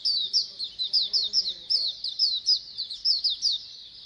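A flock of Oriental white-eyes keeps up thin, high, twittering chatter in quick overlapping bursts about three times a second. A faint low murmur is heard at the start.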